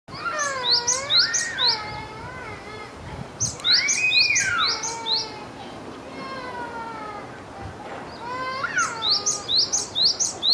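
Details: Japanese tit singing while preening: bursts of high, thin, sharply repeated notes open and close the stretch, with lower whistled, sliding phrases and a rising-falling tone sounding in between.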